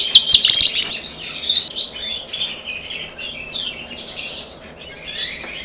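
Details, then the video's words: An SF canary in a steady warbling song. A burst of sharp chattering notes comes first. Softer, rolling twitters and trills follow and keep going to the end. "Kenari SF Postur bagus Gacor"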